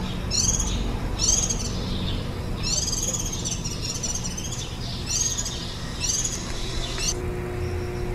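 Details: Warbling white-eye adults feeding ten-day-old nestlings on 23 July 2018, the day before fledging, recorded on site. Clustered, high twittering chirps repeat roughly once a second against a low background rumble.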